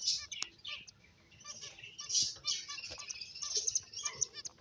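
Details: Playing finches chatter in thin, high twittering chirps, short notes tumbling over one another in uneven runs, louder around the middle and near the end.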